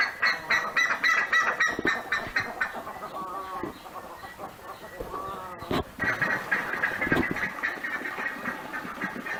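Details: Buff-necked ibis in the Pantanal, a loud, rapid series of harsh, nasal honking notes repeated several times a second, with overlapping calls suggesting more than one bird, and a few sharp knocks partway through.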